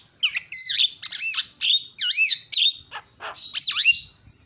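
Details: Javan myna calling, used as a lure so other mynas answer: varied looping whistles, squeaks and warbled notes in short separate phrases.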